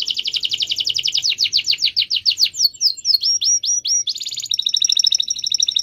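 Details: Canary singing a long roll to coax mute canaries into song: a rapid pulsing trill that slows into separate high chirps, then a dense buzzy burst and a steady rattling trill.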